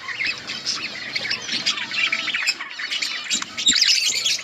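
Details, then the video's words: Outdoor budgerigar colony eating and calling: busy, overlapping high chirps, squawky notes and rapid warbles from many birds at once, slightly louder toward the end. "Budgies parrot eating and chirping sounds budgies birds in budgies outdoor colony"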